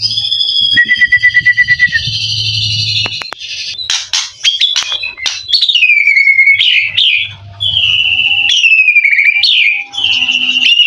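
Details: White-rumped shama, a mutation bird with a contest song fill and fighting mentality, delivers a long varied strophe: a rapid trilled rattle, harsh buzzy bursts, then loud looping whistles dropping and rising repeatedly, with a low hum beneath.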